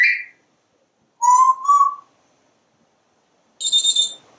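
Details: Talkative parrot on a screened back porch, commenting on squirrels and birds outside; a steady mid-pitched whistle in two parts, then a bright, harsh, ringing squawk after a pause.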